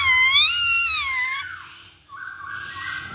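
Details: Lure recording of a masked laughingthrush to get a bird singing: a loud, rich, slightly wavering wail that slowly falls, a pause, then a quieter flat whistled note.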